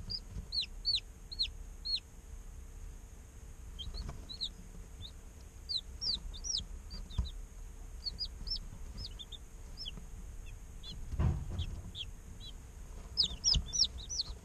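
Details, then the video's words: Day-old chicks peep in an incubator, scattered high falling chirps in bursts over a steady low hum, with a brief thump near the end. "Chicks Chirping Sounds - Baby Chicken Sounds"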